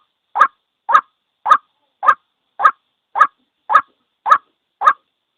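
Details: Single white-breasted waterhen call used for trapping: regular, coarse, clipped notes repeated just under twice per second, with a quiet background.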